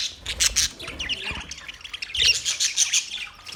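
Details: Budgerigars in a parrot colony setup chattering together: strings of bright, high chirps and twittering warbles in two main bursts, the second louder and denser, with light low rumble underneath.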